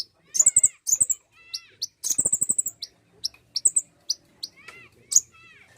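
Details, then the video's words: Common iora song used to provoke singing: short rapid trills of high chirps alternating with softer downward-curving whistled notes and scattered single chips. "pancingan bunyi burung konin!"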